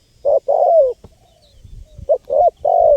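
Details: Spotted dove cooing, recorded as a wild-bird lure: two phrases of three notes, a brief coo, a longer coo and a long descending one, separated by a short quiet gap.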